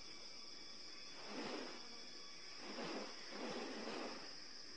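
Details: Male magnificent riflebird in courtship display, opening and closing its wings while moving its head side to side, makes three broad, pronounced non-vocal rustling bursts, each about half a second, over a steady high background hiss.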